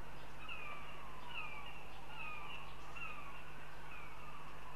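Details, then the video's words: Northern goshawk in Riga, Latvia, watched on a live stream, giving a series of slurred, downward-sliding wailing calls about once a second over a steady background hum. "Goshawks Riga/Latvia 🙂 Wren & Goshawk ~ two with big voices"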